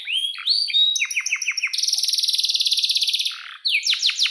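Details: Energetic canary in full song: rising whistled notes and quick descending chirps, then a rapid pulsed roll held for over a second, ending in upward sweeps and sharp falling notes.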